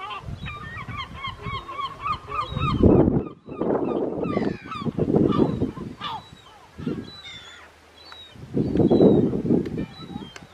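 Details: Second-calendar-year Mediterranean gull on Vlieland, the Netherlands, 24 August 2024: a quick run of nasal, harmonic calls in the first seconds, then heavy wind rumble with a few fainter calls.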